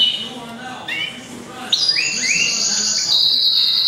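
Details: Goldfinch × canary mule hatched in April 2011, kept indoors, giving a short burst of song: rising slurred whistles, then a sustained high ringing trill with faint background noise.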